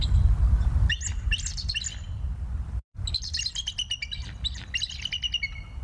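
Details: Decorah bald eagles on a live cam, 21 November 2022, 19:20: bursts of shrill, squeaky chittering notes in rapid runs, with a brief cut in the sound midway and constant low rumbling wind noise beneath.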